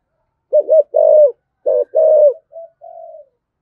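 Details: Lure recording of a spotted dove's 'thúc gù' coo to provoke rivals: two deep doubled coos, a quivering note then a longer flat one, ending in softer trailing coos.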